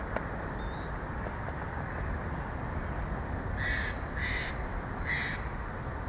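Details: Bald eagle pair at their nest in Big Bear Valley on an evening in late May 2024, picked up by a nest camera. Three short high squealing notes sound about half a second apart over steady background hiss.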